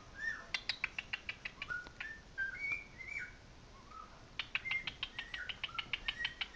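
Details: Pet male cockatiel singing along with another cockatiel played from a recording: soft mid-pitched whistled notes, some rising or falling, mixed with rapid series of sharp clicking pulses, heard quietly indoors.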